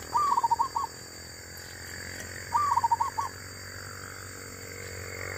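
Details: Wild female zebra dove. A soft gurgling phrase of a long note and several short rounded coos is repeated after about two seconds, over a faint hum.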